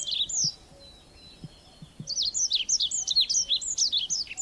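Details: Red avadavat: a few high chirps, a pause with soft taps, then a lively stream of rapid, shrill zigzag notes repeated several times a second.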